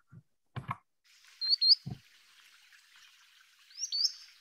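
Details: Spring migrant solitary sandpiper in Missouri wetlands giving thin, high, whistled peet calls, two quick notes then a pair a couple of seconds later, after a few low thumps; distinguishable from the spotted sandpiper's descending call.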